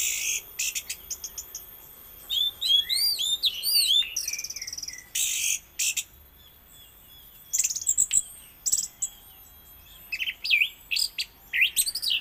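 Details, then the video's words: Orange-headed thrush performing raja patah song, scattered sharp high notes and buzzy bursts mixed with looping whistled phrases, broken by short silences. "anis merah KJ (raja patah)"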